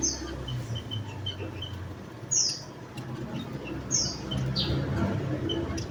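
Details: Javan munia calls: a few sharp, high, falling chirps spaced irregularly over a steady low rumble and hiss.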